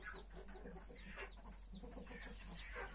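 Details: Newly hatched chicks, 31 of them with the mother hen, peeping in short descending high notes while low soft clucks run underneath, against a low steady hum.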